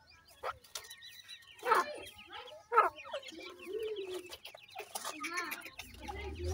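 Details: Young francolins at feeding time make a steady stream of high, slurred chirps. Two loud sharp peeps stand out, and a low human voice hums beneath.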